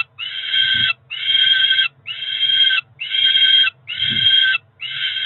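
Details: Ringed Peregrine falcon nestlings, two chicks around four weeks old at Cromer, calling for breakfast in June; a regular chain of harsh screams, each under a second, about one per second, with soft bumping sounds between some calls.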